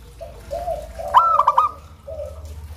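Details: A single local zebra dove phrase: a clear coo, then a quick string of short clipped notes, framed by soft, low, drawn-out cooing over a low hum.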